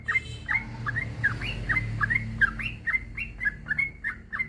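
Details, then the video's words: Yellow-vented bulbul in long continuous song, used to prompt silent bulbuls to sing. Quick bright chirps, some rising and some falling, come two or three per second over a low rumbling background. "Suara burung trucukan gacor ropel panjang trucuk apapun pasti nyaut"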